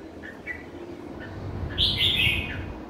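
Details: Merbah jambul, the red-whiskered bulbul, with two faint whistled notes followed by one loud, rich warbled phrase over low rumbling background noise.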